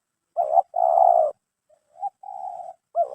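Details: Caught red collared dove prized for its crisp mersik voice, cooing low and purring: a short note then a long sustained coo, followed by a softer, rising start and another drawn-out coo, with a further phrase beginning.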